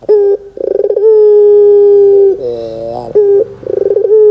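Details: Barbary dove (puter) lure call in 'gacor dor' style for prompting young doves to call: a brief coo, a pulsed rolling lead-in, a sustained low steady coo, then a rough descending croak before the next phrase begins.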